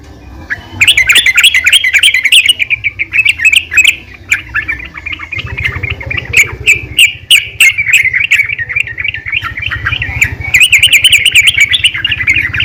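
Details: Female yellow-vented bulbul calling the male, used to encourage bulbuls to sing; long, almost continuous bubbling, chattering warble with rapid notes rising and falling, over a low humming background.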